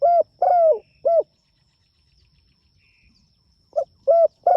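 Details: Spotted dove calling to its companions: three mellow cooing notes in quick succession, a pause of over two seconds, then the same soft hooting pattern resumes, each note slightly arched in pitch.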